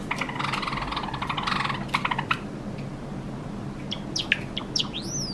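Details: A four-year-old male pet Java sparrow, possibly singing a courtship song, gives a quick run of dry clicking notes, then a few bell-like tinks and bright rising and falling whistles in a quiet room.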